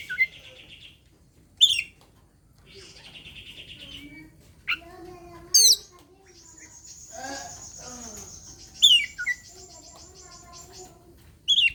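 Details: Oriental magpie-robin singing to provoke a rival into a fight, a lure for birds slow to sing: a varied stream of buzzy rattling trills, piercing upslurred whistles and lower chattering notes, with quiet gaps between phrases.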